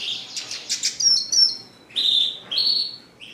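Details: Red siskin in lively song, giving fast high twitters followed by clear drawn-out whistled notes, several sustained steady tones about half a second long, with short pauses between phrases.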